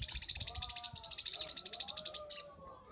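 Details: Crimson sunbird, known locally as sogok ontong, in a master recording for training birds: a rapid, even, high trill of sharp ticking notes for about two seconds, ending in a brief buzzy burst, with faint lower tones beneath.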